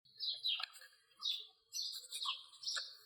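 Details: House sparrow calling: a few bright, high chirps in short clusters, each slurring downward, separated by brief pauses, with faint lower notes in the background.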